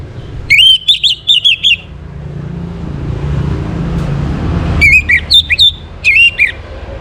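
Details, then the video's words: Morning song of an Orange-headed thrush, played to bring birds into breeding condition: bursts of fast, high whistled notes in short repeated phrases, three groups with a quiet gap in the middle and light background noise. "Naikan Birahi ANIS MERAH pancingan PAGI HARI Ini efektif supaya Burung jadi gacor & Teler"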